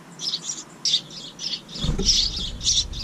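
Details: Young house wrens calling from a bird house by a kitchen window, their second family this year; rapid, overlapping raspy high bursts run throughout, joined halfway by a low thumping rumble.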